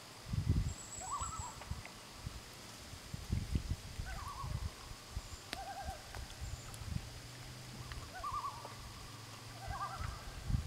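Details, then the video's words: Loons calling back and forth to each other; several short quavering tremolo bursts from different birds, some distant and higher, with strong low wind or water noise throughout. "Loon other loons call"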